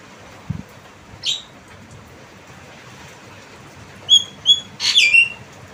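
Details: Javan myna producing a harsh rasp followed by a quick series of clear whistled notes and rasping squawks toward the end, with a low thud early on.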